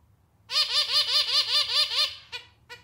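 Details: Clarinet-like song of a captive male zebra finch: a steady string of about nine identical nasal, slightly out-of-tune honking notes in quick succession, then two short clipped notes to finish.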